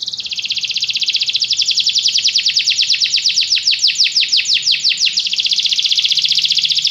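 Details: Canary singing a long continuous song of rapid repeated high notes, fast rolling trills that shift into slower sweeping descending syllables, then back into a buzzy fast trill, loud and close.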